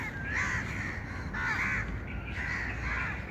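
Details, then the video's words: Birds calling: three loud, harsh, mid-pitched calls about a second apart, each slightly raspy with a bending tone, over a steady low rumbling background noise. "birds chirping sound"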